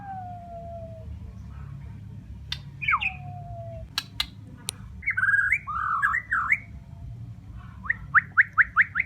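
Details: Bornean white-rumped shama singing: long pure whistles gliding downward, sharp clicks, a cluster of looping warbled notes, then a run of six quick rising whistled notes, over a low background hum.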